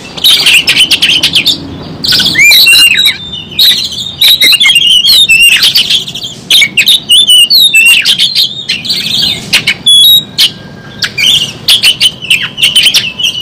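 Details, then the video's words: Oriental magpie-robin singing hard while fighting with its tail spread: a rich stream of varied whistled phrases and sharp rising and falling notes, mixed with harsh scratchy bursts, almost continuous with brief pauses. "kacer Gacor ngobra, kacer buka ekor, kacer gacor tarung"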